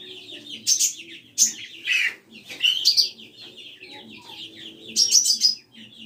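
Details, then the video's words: Common iora song used as a lure for a pet bird: a chattering run of buzzy, wavering notes, punctuated by sharper high bursts that come in quick clusters. "TERAPI KONIN BAHAN CUKUP SATU MENIT LANGSUNG IKUT BUNYI"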